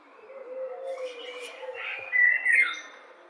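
A common blackbird sings a low, mellow warbling phrase that turns into brighter, squeaky twittering notes near the end, over a faint steady background hum.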